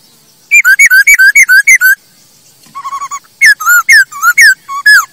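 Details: Masked laughingthrush song used as a model to train birds: a quick series of up-down whistled notes, a softer run of short notes, then louder slurred whistles.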